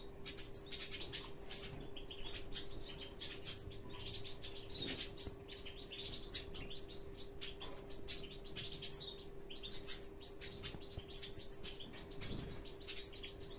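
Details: Hooded siskin, a father bird, giving a dense, continuous run of high, thin chirps and twitters, with fluttering wingbeats and a steady low electrical hum behind.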